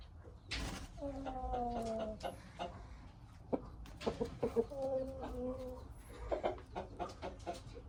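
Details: Six-month-old Aseel rooster giving two drawn-out crows, each about a second long with a gently falling, harmonic tone, separated by clattering knocks and brief clucking sounds.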